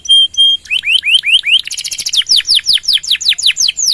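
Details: Canary singing in long bursts, used as a lure and for tutoring other birds: two pure whistles, then rapid repeated upslurred notes, a buzzy trill and a series of ringing downward-sweeping notes.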